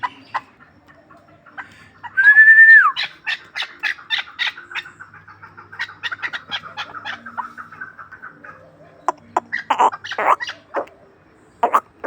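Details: Ishkoshim hunting chukar partridge delivering a run of quick chuk notes after a short whistle, then a quieter rolling stretch followed by a few harsher calls.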